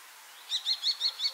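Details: Common kestrel (Falco tinnunculus) calling: five short, sharp, high-pitched notes in quick succession, each a bright piercing 'kee', evenly spaced about every fifth of a second, over a quiet background.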